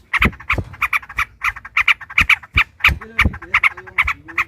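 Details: Trucukan, the yellow-vented bulbul, singing a long rolling song while fighting, meant to goad rivals into singing: dense run of bright chattering notes with brief low tonal sounds near the end.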